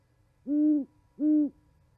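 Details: Owls calling at an osprey nest in Charlo, Montana, on 11 January 2020, winter: two deep, even hoots about half a second apart, each steady and slightly falling at the end, over a quiet background.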